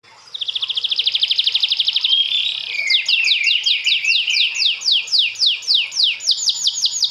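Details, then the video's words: A canary sings a fast, high, buzzing trill for about two seconds, then a run of bright, descending whistled sweeps, roughly two or three each second. "Canary singing"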